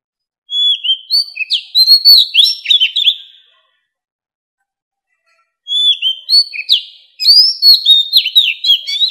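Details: Oriental magpie-robin, an old forest bird, singing to attract others; two loud bursts of sweet whistles and rapid slurred notes, each about three seconds, divided by silence.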